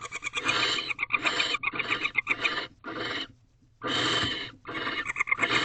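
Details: Barn owls in a nest box at dawn, 19 March 2023, the male trying to interest the female in a new rodent; overlapping rasping hisses mixed with rapid ticking chatter, a brief pause mid-way.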